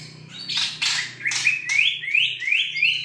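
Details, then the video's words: Young white-rumped shama of the Borneo form, learning to sing, starting with harsh rasping squawks, then a run of rising whistled notes repeated about every third of a second, over a steady low hum. "burung pastolan murai borneo blajar gacorr"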